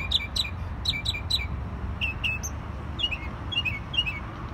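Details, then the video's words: A jay gives quick bursts of sharp, downslurred chirps, then softer, varied twittering notes, over a steady low rumble of background noise. "Jay Bird Singing"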